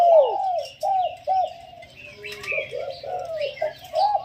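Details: Spotted dove kept as a decoy bird, giving its calling style: soft, mid-pitched coos in a run of short arched notes, with higher chirps from other birds in the background.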